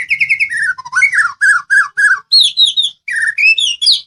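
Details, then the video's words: Medan white-rumped shama, a training song to make other birds answer: a loud, continuous run of varied whistled phrases, repeated slurred notes rising and falling in quick succession, with brief pauses between groups. "MASTERAN SUARA BURUNG MURAI MEDAN. GACOR BURUNG BAHAN PASTI IKUT NYAUT."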